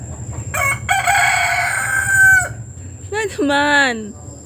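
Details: Rooster perched on top of a roof crowing: a long, loud, strained harmonic call of about two seconds rising slightly at the end, followed by a shorter wavering call that drops in pitch; a person talks nearby.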